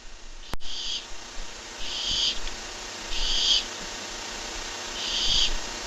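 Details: Barn owl on a live webcam, 23 July 2015, on the day one owl gets a rat: four harsh, breathy hisses, each about half a second long, come roughly every second and a half over steady background hum, with one sharp click early on.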